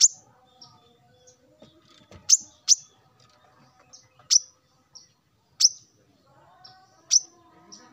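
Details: Male plain-throated sunbird calling rivals in the morning, somewhat distant: sharp, high single chirps spaced irregularly, with faint quieter notes between them.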